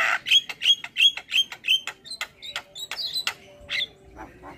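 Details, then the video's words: Starling song used to coax birds into singing: a quick, regular run of bright chirping notes, then sparser squawks that fade out. "MAsteran & Pancingan Segala Jenis Burung Jalak Wajib Langsung Buka Suara"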